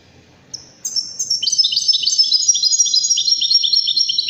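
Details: European goldfinch singing for chicks and hybrids to learn from: after a single high note, a fast, steadily repeated twittering trill of bright tinkling notes builds and continues to the end.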